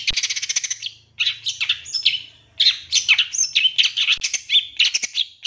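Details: Champion long-tailed shrike, 2023, lure song for triggering fast, agitated singing in another shrike: a dense varied jumble of scratchy chirps, whistles and harsh notes in quick irregular bursts, faint low hum behind.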